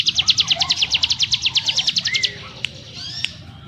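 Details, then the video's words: Dense rapid chipping from a ciblek gunung in 'ngebrem nembak rapat' style, about two seconds of fast high notes, followed by a soft upslurred whistle and a couple of sharp clicks. "Burung CIGUN ngebrem nembak rapat - ciblek gunung master suara TEGAS"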